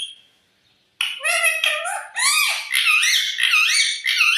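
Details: Pet parrot after a second of near quiet launches into continuous warbling chatter, with wavy whistled notes rising and falling, almost speech-like, repeated about every half second.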